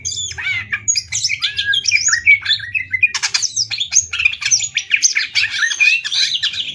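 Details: Greater green leafbirds from Banyuwangi and Kalimantan in a caged singing contest: loud, varied, rapid whistles, chattering and squeaky phrases delivered almost without pause, with bursts of fast trilled notes.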